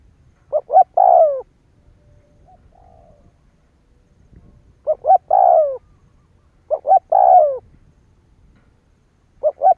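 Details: Spotted dove call phrases used to provoke other doves into calling: each phrase has two short coos and a longer falling coo, repeated at intervals of several seconds.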